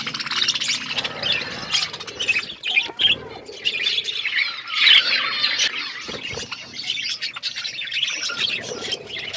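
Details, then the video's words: Wild parrots keep up an unbroken wall of piercing squeaks, screeches and scratchy twitters from many birds together, with occasional louder sharp cries rising out of the din. "Parrot bird natural sounds | wild parrot sound"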